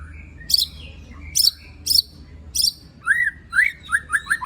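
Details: White-rumped shama (murai batu) singing a coarse-filled song meant to provoke other shamas: sharp high chips roughly every half second, then a run of quick downslurred whistled notes repeated rapidly, over a low steady hum.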